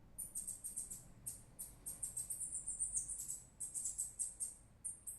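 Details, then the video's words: Bird song: very high, thin rapid notes in quick bursts of four to six, separated by short gaps, soft and slightly distant. "essa ave agrada d+"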